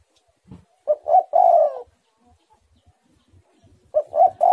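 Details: Tekukur, or spotted dove, in vigorous song of the tight 'menekan rapat' style: a phrase of two brief coos ending in a drawn-out falling coo, then silence before the next phrase begins.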